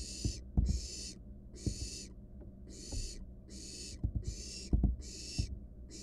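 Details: Wild barn owl nestling, nest box camera, swallowing a rat: evenly paced harsh hisses, roughly eight in six seconds, over low thumps and rustles from the box.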